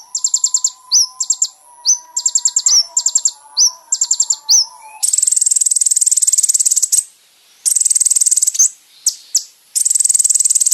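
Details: Kolibri ninja song used to train caged birds: clusters of thin high chips and short trills, then long sustained buzzy trills broken by brief pauses, with a faint lower whistle underneath early on.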